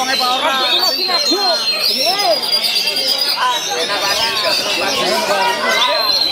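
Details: Oriental magpie-robin singing in a bird contest at Wiradesa, Pekalongan, Central Java, 14 July 2024; quick looping whistles and rising-falling phrases over chatter of people and other competing birds.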